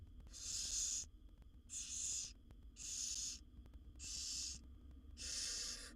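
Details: Wild barn owl owlets in a monitored nest box, seven young being fed by their mother, giving harsh hissing snores, each rasp under a second long and repeated roughly every second and a quarter, over a steady low hum.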